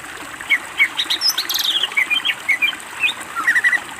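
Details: Greater green leafbird in a master recording for training birds, giving a lively run of short, sharp chirps and slurred whistled notes that jump up and down in pitch, steadily repeated over a faint background hiss.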